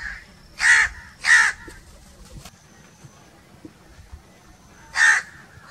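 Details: Two strident crow caws in quick succession, then several seconds of near silence with faint ticks before a single harsh caw closes the sequence.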